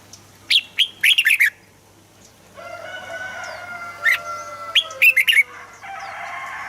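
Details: Red-whiskered bulbul song used to make birds lively: quick groups of bright, slurred whistles, plus a few single notes, over a background that turns noisy with a steady hiss and long thin tones in the second half.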